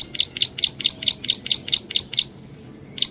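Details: Prinia lure call: ten rapid, high, piercing chirps in an even row, then a brief silence before a single final chirp.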